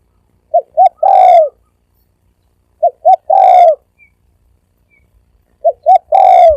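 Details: Spotted dove of the thổ ồm vang kind cooing three times: each phrase two short soft notes then a long, strong descending coo, repeated about every two and a half seconds, otherwise quiet.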